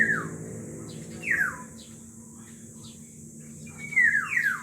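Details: One of two black-naped orioles gives four fluty, downslurred whistles, each dropping sharply in pitch, spaced about one to two seconds apart, over a steady low hum and faint high hiss.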